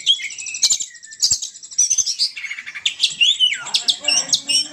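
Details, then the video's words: Lure call of the poci bird, Indonesia: long, high, thin whistles slide downward, then break into rapid chirps, harsh squawks and sharp descending notes that follow one another quickly. "suara pikat burung poci"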